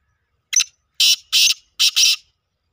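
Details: Black francolin calling: a short rasping note, then four loud, harsh, buzzy notes grouped in two quick pairs, all grating and high-pitched, with silence between bursts.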